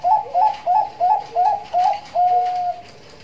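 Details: Bangkok zebra dove singing in the nduduk ngitit song style, used as a lure and tutor recording: a run of six quick rising whistled coos, then a longer, drawn-out final note, with soft lower notes underneath.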